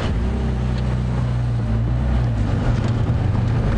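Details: Steady, loud vehicle engine drone with low humming tones throughout and no animal sounds.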